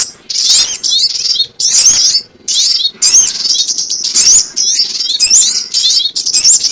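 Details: Sogon ontong call played as a trapping lure: repeated short bursts of shrill, scratchy twitters and squeaky upward slurs, each about half a second long, separated by short silences.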